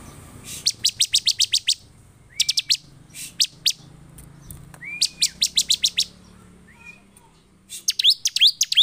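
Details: Loudly singing Bar-winged prinia, agitated, luring other prinias to sing quickly. Repeated rapid trains of high sharp chips alternate with short, thin, slightly arched whistles. The phrases come one after another, with a jumbled chatter at the close.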